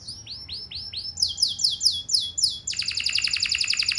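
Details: Canary lure song meant to draw other canaries into answering: four arched whistled slurs, a string of sharp high notes, then a rapid, even, ringing trill.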